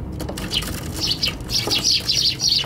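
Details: Tree sparrows on a balcony in mid-January: quick high chirps rising in number, overlapping twitters from more than one bird, loud and close.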